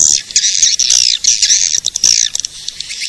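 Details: Edible-nest swiftlet calling sound for attracting swiftlets: rapid shrill twittering in bursts with brief gaps, some notes sliding downward, fading into sparse clicking chirps near the end.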